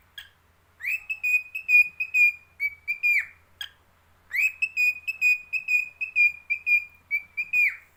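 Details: A pet lutino cockatiel whistles a bright, steady-pitched song of quick pulsed notes, in two runs with a brief pause.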